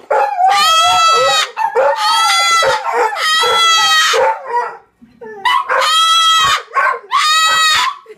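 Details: Cockatoo screaming loudly: harsh, raspy, drawn-out shrieks about a second long, given in quick bursts with brief gaps and a short silence midway, plus rougher lower squawks between the screams.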